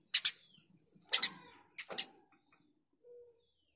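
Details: Eurasian tree sparrow (Passer montanus) calling vigorously in a songbird training recording: three separate harsh double chirps about a second apart, followed by a soft low note.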